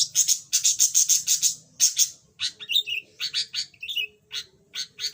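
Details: Loud rapid chatter from a pet yellow budgerigar that has recently begun to sing after being silent: a fast string of identical sharp chirps, then looser buzzy notes and twisting whistles, with a faint steady tone.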